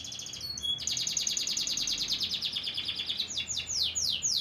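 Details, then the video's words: Song of a white crested canary: a few short pure whistles, then a long run of quick repeated high notes, finishing with several slower, steeply falling sweeps. "white crusted canary nice singing"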